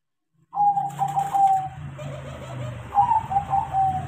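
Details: Trained, tame crossbred zebra dove: clear ringing coo notes in two phrases are half-buried under a steady low hum and broad background hiss.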